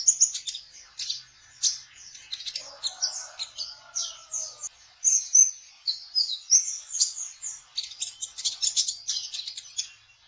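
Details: Lure song for trapping konin birds, sung by a kolibri ninja sunbird in trotol fashion: ten seconds of nonstop high twittering, rapid chips and buzzy trills, a soft lower whistle in the background.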